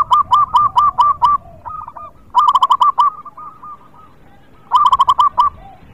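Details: A local zebra dove in full song, used to prompt other birds that are slow to sing: three bursts of loud, rapid, rolling coos, five or six notes each, separated by softer trailing coos.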